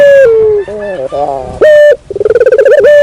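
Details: Barbary dove lure call, loud and clear: a held coo stepping down in pitch, short wavering notes, then a bright level coo, a rapid pulsed trill and a final sustained tone.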